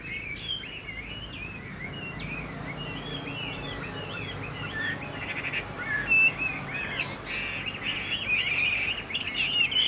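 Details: On a dark, overcast day, a Chinese hwamei that fans its tail sings a fast, varied run of loud whistled and slurred phrases, rising and falling in quick succession, with faint background hiss.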